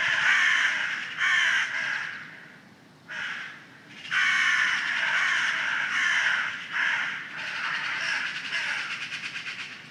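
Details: Crows cawing noisily in early morning: a rapid series of rough, nasal caws in clusters, several birds overlapping, with one short pause before the calling resumes.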